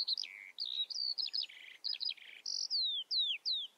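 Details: Eurasian skylark in continuous song, mixing sharp downslurred whistles with buzzy trilled bursts and short rattling phrases, delivered fast and bright without pause.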